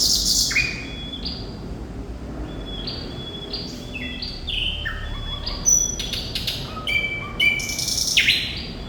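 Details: Energetic thrush nightingale (sikatan londo) song. Clear flat and slurred whistles mix with brief buzzy bursts and a run of sharp clicks near the end, over quiet background hiss.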